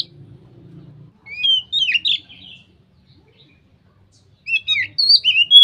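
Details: Oriental magpie-robin in loud open ngeplong singing style, said to make other magpie-robins start singing: two bursts of clear whistled, sliding phrases separated by a quiet gap, with a low hum at the start.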